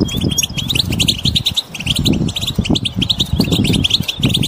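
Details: Group twittering of wild European goldfinches, intended to make a mute goldfinch sing: quick, bright, overlapping chirps run without pause, including a few short rising trills, over constant deep rumbling noise.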